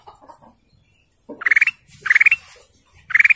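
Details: Canary producing rapid pulsed trills, each under half a second, repeated roughly every half second in three bursts, preceded by soft low notes.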